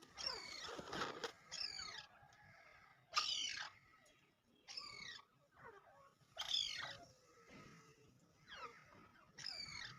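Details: Partridge calls: scratchy, downward-sweeping screeches repeated irregularly, some loud and some fainter, over a steady hiss of background noise.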